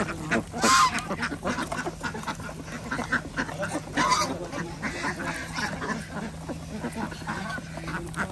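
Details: Farm ducks being fed on an organic village farm in Andhra Pradesh, India, among chickens and geese; scattered raspy quacks over a steady low hum, with two louder calls near one and four seconds.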